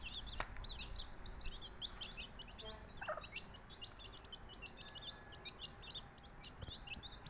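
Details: Baby country chicks from a Tamil flock cheeping steadily, many short high peeps overlapping throughout, with a brief lower call near the middle and faint low rumble beneath.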